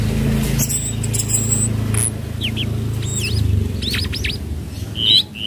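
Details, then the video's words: Tledekan laut (flowerpecker) lure call in the trotol style, used to train untamed flowerpeckers: sharp high chirps and short downslurred whistles scattered over a steady low engine-like hum. "Pancingan Bunyi Tledekan Laut trotol Cocok Untuk tledekan Bahan"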